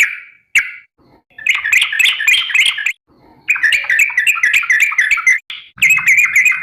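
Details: Sooty-headed bulbul calling to companions, giving long runs of rapid, chattering, liquid notes that bubble up and down in pitch, with brief gaps between phrases and a faint low rumble near the end.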